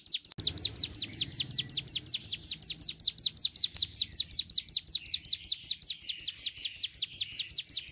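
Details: Original song of a Javan tesia, shared to coax birds to sing. It sounds as a rapid, unbroken chain of sharp, high, falling notes at a steady beat, with some low murmuring at first.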